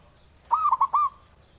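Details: Male zebra dove calling, played to prompt silent birds to sing: a single quick phrase of four bright, trilled coos at a steady mid pitch, each note clipped and bouncing, over a quiet background.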